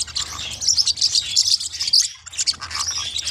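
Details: Forpus parrotlets, small hook-billed parrots, giving sharp, high chirps in quick irregular bursts of about two per second, with brief squeaky notes between and a low hum underneath.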